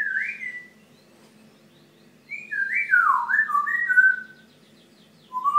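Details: Talkative pet Grey parrot, kept indoors and said to warn its owners when it poops; clear whistled phrases with rising and falling slides, one short phrase, a pause, then a longer descending run of linked whistles.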